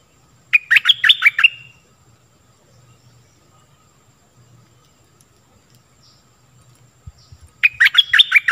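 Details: Stripe-throated bulbul lure song, played to teach young birds and draw wild birds in: a fast series of sharp, rising, chattering notes, repeated after about six quiet seconds with a faint low hum.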